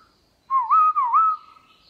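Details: Black-throated laughingthrush, a kept songbird, sings one clear looping whistled phrase in wild-style voice during the morning, dipping and rising twice before trailing off.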